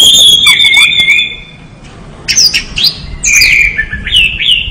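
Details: Orange-headed thrush in vigorous song, a long clear whistle sliding downward, then a pause followed by quick, jumpy high phrases and descending slurred whistles.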